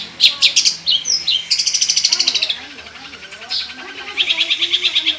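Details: Long-tailed shrike singing energetically with mimicked phrases, a recording meant to prompt other shrikes to sing: quick high ticking notes, a long even rattle of rapid chips, a short pause, then another fast buzzy rattle.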